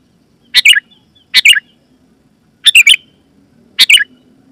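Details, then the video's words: Sooty-headed bulbul, loud clear call used to make other bulbuls respond; four short bubbly chirped phrases with slight whistled tails, spaced unevenly over a faint low hum. "Suara Burung KUTILANG GACOR,Super Ampuh Keras, Lantang dan Jernih, Burung Kutilang Lain Auto Gacor"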